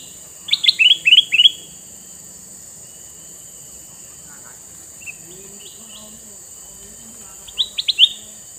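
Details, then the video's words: A male sooty-headed bulbul with red eyes, used as a lure for wild birds, sings a quick phrase of five liquid notes, then a few faint notes and a closing phrase about six seconds later, with constant hiss. "Burung kutilang mas jantan mata merah"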